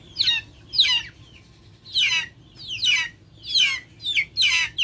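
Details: Loud, shrill calls from backyard chickens, each sweeping down in pitch, about seven bursts in five seconds over a faint low hum.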